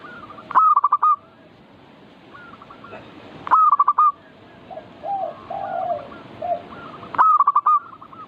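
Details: Zebra dove, called perkutut, singing the manggung style to goad birds into song: three loud phrases roughly every three and a half seconds, long coo then quick trilled notes, with softer lower-pitched cooing from other doves in the gaps.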